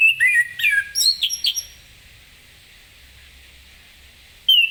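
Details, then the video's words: Orange-headed thrush (anis kembang) singing in the lively ngeplong style in the morning, played to get other birds singing; a quick burst of clear, varied whistled and slurred notes lasting under two seconds, then quiet, ending with one bright whistle. "Anis Kembang Ngeplong Gacor di pagi hari"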